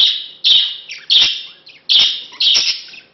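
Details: Courting male budgerigar with his mate of two months, leading to mating: four loud, harsh chirps, each fading away, spaced roughly half a second apart with a softer chirp in between.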